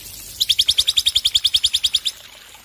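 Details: Very rapid trill from a male black-winged myna: nearly twenty high, shrill notes repeated evenly at close intervals for under two seconds, then silence.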